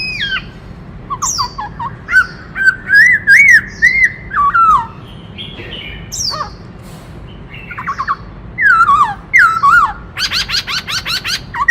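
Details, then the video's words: Long varied performance of a black-throated laughingthrush singing while dancing: bubbly whistled phrases rising and falling, scattered sharp chips, and a closing burst of fast harsh chatter notes. "Khướu bạc má hót múa - Chim khướu hót đảo nhiều giọng hay kích bổi - Tiếng chim Khướu hót"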